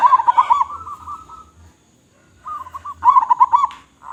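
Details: Local Indonesian zebra dove, perkutut lokal, singing vigorously with a big voice as a lure for other doves: bubbling pulsed coos near one pitch, two phrases separated by a short pause, each ending in spaced trailing notes.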